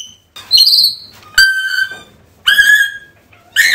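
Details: Calling African grey parrot, recorded for bringing a lost pet bird back: a high slurred whistle, then ringing level whistles and a wavering note, each loud burst separated by short quiet gaps.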